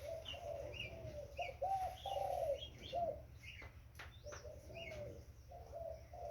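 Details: Low, rounded cooing from a young spotted dove, a run of short notes peaking in the middle, mixed with frequent small high chirps from other birds and a low background hum.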